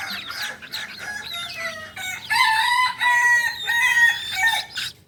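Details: Kukuak Balenggek cockerel, Solok's native singing chicken famed for dawn crowing, gives a tiered crow: several loud, stepped, harmonic phrases in succession, each pausing briefly before the next level, over five seconds.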